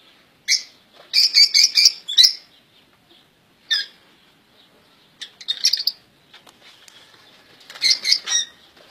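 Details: Song of European goldfinches kept in a cage comes in rapid clusters of bright, high chirping notes. The clusters are separated by pauses of about a second, with faint wing flutters and soft twitters in the background.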